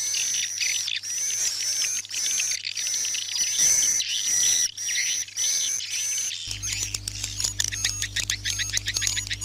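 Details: Swiftlet night sound played indoors in a bird house to attract swiftlets: dense overlapping high twittering chirps and trills, with a steady low electronic hum, the texture turning busier and clicking near the end.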